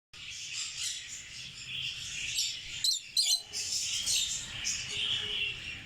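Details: African lovebirds chattering together: a dense, continuous wash of high shrill chirps and squeaky twitters, with a few sharper louder notes near the middle.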